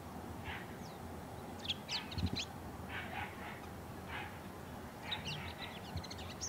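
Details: A male Bull-headed shrike sings softly while courting a female, giving bursts of high, squeaky, chattering notes, some sharp and rising, in irregular clusters over steady low background rumble.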